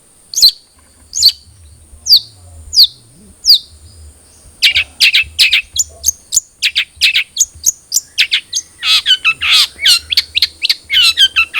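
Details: Lure song of a cendet trotol long-tailed shrike, meant to get captive birds singing: five spaced harsh notes, then an accelerating, rich run of scratchy chirps, twitters and mimicked-sounding phrases.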